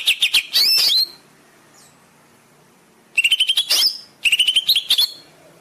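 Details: Caged-bird training song of a greater green leafbird, used to coax silent birds into singing: bursts of bright, rapid chipping and sweeping whistles separated by a quiet pause.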